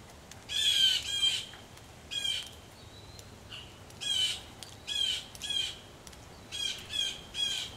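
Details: Rain falls at a Missouri farmhouse porch as agitated blue jays call: scattered harsh, buzzy screams in ones and twos, growing busier toward the end, with gutter drips and soft rain noise.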